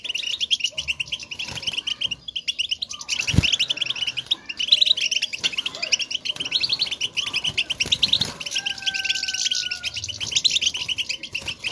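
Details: European goldfinches calling to each other to signal their presence, used to stimulate a caged goldfinch to sing: dense, rapid tinkling twitters and chirps, with a brief clear whistled tone near the end and soft background noise.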